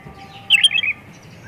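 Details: Oriental magpie-robin in full, constant song rich in varied phrases, a lure for other magpie-robins. A quick half-second run of bright, clear whistled notes rises and falls over faint background hum.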